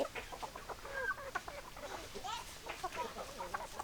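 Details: Hens and roosters clucking: rapid short clucks and brief rising squawks overlapping continuously, several birds calling at once.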